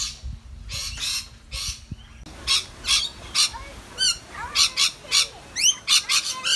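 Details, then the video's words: Australian rainbow lorikeets feeding as a group, a few harsh screeches, then a series of short rasping squawks mixed with quick upward-sweeping chirps, roughly every half second. "RAINBOW LORIKEETS having a LOUD Picnic!"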